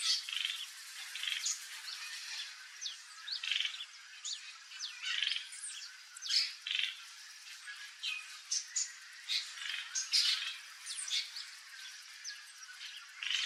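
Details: Turquoise-fronted amazon calling in its wild habitat in Brazil: a dense stream of harsh, high squawks and chattering notes from several birds, overlapping continuously with no clear rhythm.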